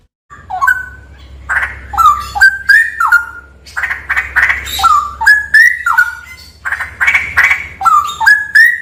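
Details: Straw-headed bulbul singing in a cave: loud whistled notes that step up from low to high, repeated in quick phrases, mixed with sharp clicking ticks and a faint low hum underneath.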